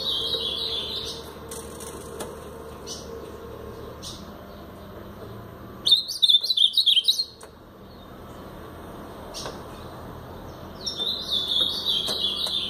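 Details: A brown Blue-black grosbeak singing in the Paraná style. Three separate bursts of high, warbled, bending notes are heard, with the loudest, most rapid and choppy phrase in the middle. Quiet gaps between bursts hold only faint clicks.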